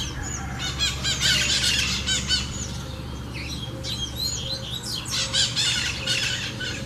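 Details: Singing double-collared seedeater giving fast series of repeated high, buzzy notes in bursts of about a second, with scattered chirps from other birds and a constant low hum behind.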